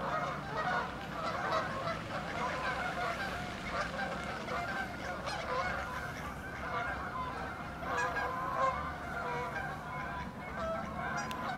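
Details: Many Canada geese calling as they take off, an unbroken mass of harsh, nasal honking with louder swells around 1.5, 6 and 8.5 seconds, underlaid by a continuous low roar.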